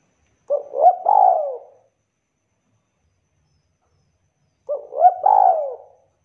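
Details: Spotted dove giving the kuk call meant to set other doves calling: two separate soft cooing phrases, each a short stuttered note followed by a longer, mellow, falling coo, with silence between.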